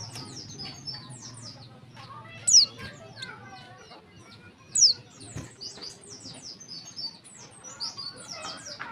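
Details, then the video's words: A female warbling white-eye calls to lure males into singing. Two piercing downward-sliding notes stand out about two seconds apart against a busy wash of quieter high chirps. "suara pleci betina untuk memancing bunyi jantan."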